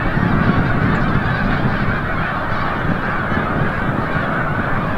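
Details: A large flock of snow geese returning from the bay at sunset, Forsythe National Wildlife Refuge, Oceanville, New Jersey, forms a dense, continuous wall of overlapping nasal honks and yelps with no single voice standing out.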